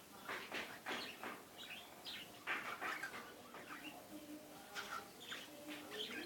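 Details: Cockatiels at breeding time give busy, scratchy chirps and short whistled notes in quick, irregular bursts.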